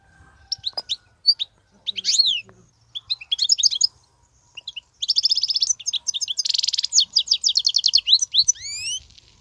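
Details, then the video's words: European goldfinch, wild bird, singing without pause: a lively run of high tinkling twitters, buzzy rattling trills and liquid falling notes, ending in upward-sweeping whistles. "صوت الحسون البرى:مقنين خلوى ممتاز..بتبتات.. غناء لاينقطع"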